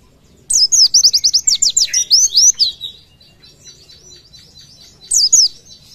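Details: Oriental white-eye giving a tutor-style rapid "shooting" song: a high, thin burst of quick, sharp down-slurred notes for about two seconds, then a short phrase after a pause.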